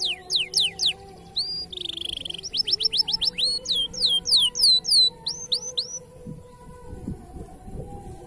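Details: Male canary song used for tutoring young canaries: bright downslurred whistles, a brief buzz, then rapid chirping notes, with a low steady hum underneath and fading at the end.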